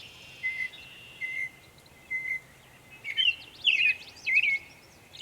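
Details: Northern mockingbird recorded in Savannah, New York, 23 May 2021, making many sounds: thin, evenly spaced whistled notes at first, then louder, rapid chattering phrases with twisting high notes.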